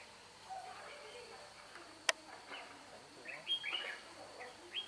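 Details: Red-whiskered bulbul with a bell-like voice, heard during trapping: scattered short whistled notes, then a burst of bright rising and falling phrases toward the end, with a sharp click and low background murmur.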